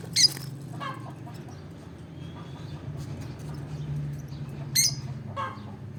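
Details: Olive peach-faced lovebird giving two brief, sharp, high shrieks about four seconds apart. Softer, lower chatter and a steady low background hum fill the gap between them.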